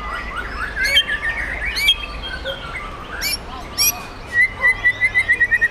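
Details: Sumatran white-rumped shama, forest-bred stock from Bengkulu, delivering varied whistled song phrases and sweeping notes, ending in a fast repeated series of clipped chips.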